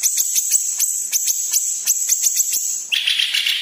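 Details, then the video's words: Yellow-headed green leafbird (cucak ijo kepala kuning) song: rapid series of sharp, buzzy high strokes over a steady shrill tone, ending in a softer chattering warble. "KICAU BURUNG CUCAK IJO KEPALA KUNING"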